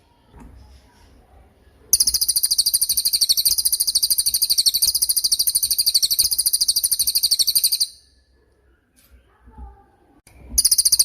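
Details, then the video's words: Long sharp cililin song for training songbirds, moulting birds included: a sustained high, buzzy trill of fast repeated notes running six seconds, then quiet, then the trill begins again. "MASTERAN CILILIN || TAJAM DURASI PANJANG"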